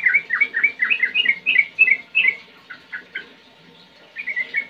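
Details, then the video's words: Sooty-headed bulbul singing a rapid burst of liquid, slurred whistles for about two and a half seconds. A brief pause follows, then a few more notes and a short closing phrase. "Suara Jernih GACORNYA paling Jitu bikin CEPAT NGEROL ROPEL GACOR trucukan Anda"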